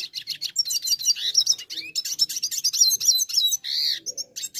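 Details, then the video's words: Brune dilute red siskin, a browner colour form, in lively continuous song: rapid high twittering, sweeping chirps and short trills, with a clearer rising-falling whistled note toward the end. "Red Siskin Gacor Brune Dilute"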